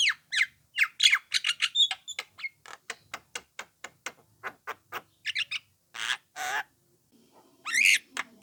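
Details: Young Javan myna used as a lure so other mynas respond: a rapid run of harsh, buzzy, chattering notes, then longer grating squawks and a rising whistled squeal near the end.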